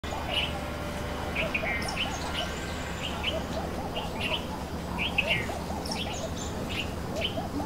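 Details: Greater coucal in a neighbourhood of Gurugram, India, giving runs of deep, baritone, hollow hoots in quick even series, amid chirps of noisy bulbuls and pigeons and a steady low hum.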